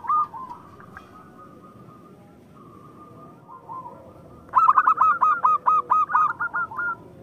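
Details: Local Zebra dove song for stimulating reluctant or rival birds. After faint distant cooing, a loud string of about ten short, bright, regularly spaced coos ends in a quick trill.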